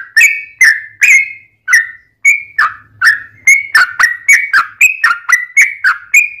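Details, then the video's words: Sooty-headed bulbul song used as a lure to make other bulbuls answer: a steady run of short, bright notes, each a sharp click-like onset dropping into a warbled whistle, repeated about twice a second with brief pauses. "SUARA trucukan gacor tarung ROPEL PANJANG pancingan trucukan agar bunyi"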